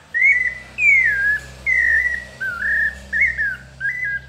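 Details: Melodious São Paulo style song of a pale-breasted thrush: drawn-out whistled notes, several falling in pitch, others wavering, spaced by brief gaps over a faint low hum.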